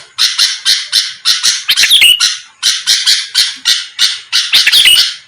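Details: Sooty-headed bulbul voice meant to provoke rival birds into responding: two runs of loud, scratchy bursts, each run ending in a wavering whistled flourish, with a short silence between.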